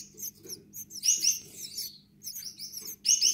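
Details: Young Gouldian finches giving harsh, high, rasping chirps in short clustered bursts, with brief pauses between, and a low steady hum beneath.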